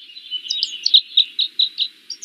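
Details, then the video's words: Red crossbill song, a quick series of high, sharp chirped notes, about three or four each second, over faint hiss; the bird sings because it is nesting; a winter visitor to northern New York. "a song."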